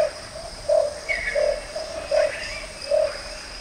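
Russet-crowned Motmot giving low, hollow hoots, one roughly every three-quarters of a second, over a steady insect hiss and faint higher bird calls.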